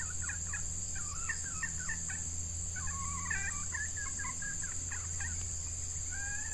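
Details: Decoy red junglefowl hen calling to draw in wild males during hot breeding weather: clusters of short, clipped, chattering notes come in bursts across the whole stretch, over a constant high insect drone.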